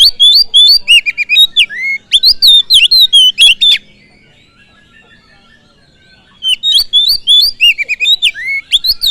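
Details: Oriental magpie-robin song used as a lure to provoke other birds: loud, varied whistled phrases with rising and falling slurred notes and sharp chips, delivered in rapid bursts, then a pause of about two seconds before the song resumes.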